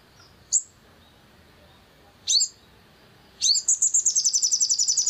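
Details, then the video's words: Long-tailed shrike, recording used to provoke singing: two spaced, sharp rising chirps, then a fast run of high buzzy notes repeated several times a second. "PANCINGAN EMOSI SOGON AGAR GACOR"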